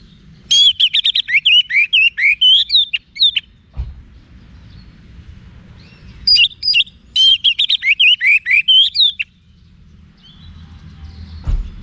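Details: Orange-headed thrush singing a wiksar-style song, used for training cage birds: two dense bursts of loud, rapid, sharp whistled notes that zigzag up and down, each burst about three seconds long, with a quiet pause between them and a low background hum.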